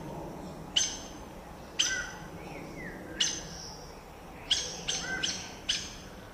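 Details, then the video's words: Saffron toucanet: spaced, sharp high call notes, then a quick cluster of four near the end, with a soft whistled downslur and a faint low hiss behind. "Canto pássaro Araçari-banana (Pteroglossus bailloni)"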